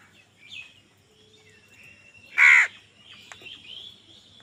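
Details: A crow fighting for food gives one loud, harsh caw amid quiet background bird chatter.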